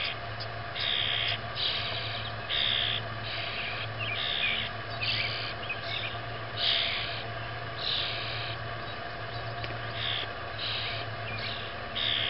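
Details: Baby grackles giving harsh, hissing, raspy calls repeated roughly once a second in an uneven rhythm over a constant low mechanical hum.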